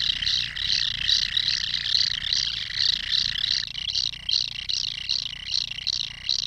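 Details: Common kingfisher calling inside the nesting burrow, a series of harsh high rasps repeated about two or three times per second, steady throughout, above a low rumbling background.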